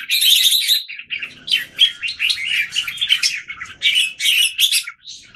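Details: Caged red-whiskered bulbuls in Singapore, one bird pitted against several others, recorded 17 January 2019; dense bursts of chirpy, warbling phrases overlap almost without pause, bright and high, with short gaps between loud clusters.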